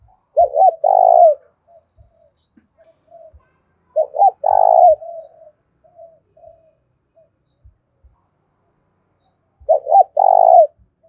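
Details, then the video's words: Spotted dove in the thổ pha voice giving a fighting call to lure rivals. Three loud coo phrases come about five seconds apart, each a double stutter and a long buzzy note, with soft coos between them. "Chim cu gáy kích bổi giọng thổ pha/ tiếng thúc đấu vang cả xóm làng"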